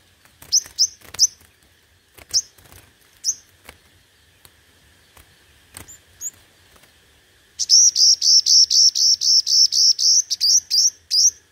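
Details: Five-coloured sunbird lure bird in competitive song: a few scattered high chirps and clicks, then a fast even run of about fifteen high, slurred notes in the last four seconds.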